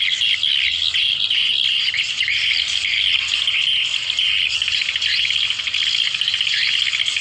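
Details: Massed swiftlet chatter used as a lure to draw the birds in: thin, high, rapid twittering from many callers layered into a continuous buzzing texture that never stops.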